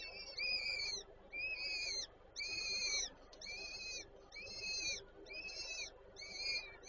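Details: At a Warsaw Żerań peregrine falcon nest on 8 May 2023, while the female feeds her chicks, seven evenly paced, drawn-out reedy wails sound, roughly one per second, each with short pauses between.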